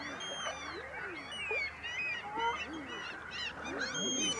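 Several common eiders give soft, moaning ah-OOO calls that swoop up and down, overlapping one another, with thin high whistles from other birds above.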